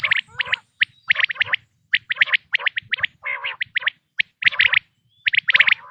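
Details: Natural quail calls for hunting, 2026 season. Short bright chirps in small groups, one harsher harmonic burst near the middle, and quieter gaps between the phrases.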